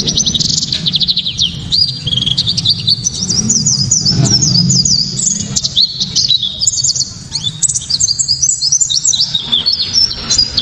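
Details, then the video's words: White-eye used as a lure and training song pours out a loud, sharp, very clear, fast, high, twittering song of thin rising and falling notes, nearly unbroken, over a low steady hum. "Pleci kaca mata‼️tembakan‼️penuh sensasi‼️ pleci bakalan ❓ pasti langsung ikut Gacor"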